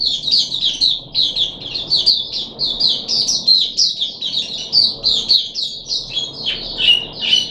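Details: A Puff-backed bulbul, a captive songbird on its third day of deworming treatment, gives a steady bright chatter of short high notes, several each second, rising and falling slightly, over a faint low rumble.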